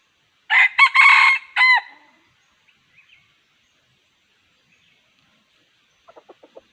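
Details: Red junglefowl during wild junglefowl trapping: one full, harsh crow of several broken segments ending in a clipped note, followed by long quiet and a burst of soft, rapid clucks near the end.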